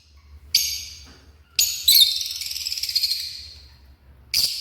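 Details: African lovebirds giving harsh, broadband screeching calls: a short shriek, then a longer buzzy chattering burst of about two seconds, and another sharp screech near the end.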